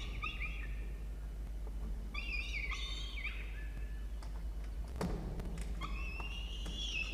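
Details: Peregrine falcon chick being fed in a nest box in Orange, New South Wales, Australia: repeated high, rasping wailing cries of about a second each, pausing briefly between bursts, with some knocking sounds midway.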